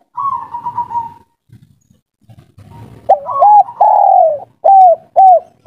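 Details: Spotted dove of local breed, 'kuk 3' style, calling to a female: a soft trembling coo, a few faint low sounds, then a loud phrase of a doubled note, a long falling coo and two short arched coos.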